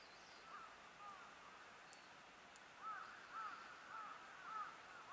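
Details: A Japanese grosbeak recorded on 7 March 2020 gives short, arched, slurred notes, faint at first and then clearer, about one every half second, over a steady outdoor hiss.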